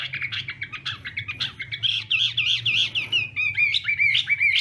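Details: Chinese hwamei during morning song practice for contest singing: dense, fast chattering phrases that flow into wavering, rolling whistles and sharp slurred notes, delivered almost without pause over a faint low hum.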